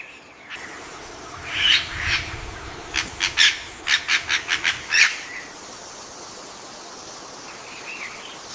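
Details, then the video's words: A myna calling while walking along a tree branch gives a burst of harsh, chattering notes, about ten quick squawks in three seconds, with a faint hiss of background noise. "Myna bird calling"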